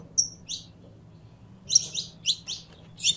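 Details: A captive saffron finch, warming up to sing, gives sharp, high chirped notes: two spaced chips, then a quick burst of five, over a faint low hum.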